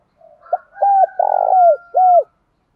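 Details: Male and female spotted doves cooing to lure wild doves: a short note, a clear coo, a drawn-out rolling coo and a closing downslurred note, with a faint thin steady tone running above the phrase.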